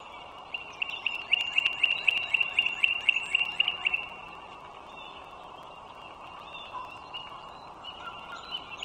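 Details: Wild bald eagles in northern Virginia, USA, on 21 March 2023 around 9:15 in the morning: a rapid chittering run of thin, high, squeaky notes at about four per second for three seconds, then softer scattered squeaks.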